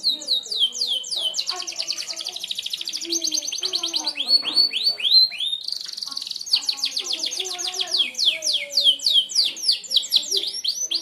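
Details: Merlok canary singing sharp shots meant for training other birds, an unbroken, varied stream of high rapid trills, buzzy rattles and swooping downslurred whistles.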